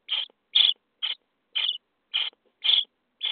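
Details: Common starling nestlings in a nest box on day 23, being fed: short harsh rasping begging bursts, seven in about three seconds, evenly spaced with silent gaps between them.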